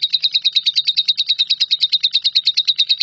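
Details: Brief, loud stretch of lovebird "nyambung kuntilanak" song used to tutor shrikes: crisp, regularly spaced squeaky high notes, about six per second, over a faint low hum.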